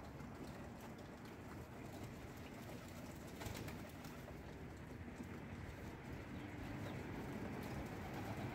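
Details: Pigeons at breakfast feeding time give low, soft coos run together under a steady rumble of shuffling and background noise, as though several birds are calling at once.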